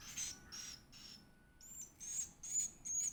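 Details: Begging chick of the edible-nest swiftlet at feeding time: sharp, high, buzzy chirps in bursts, a brief quiet gap at mid-clip, then louder, rapid squeaks resume.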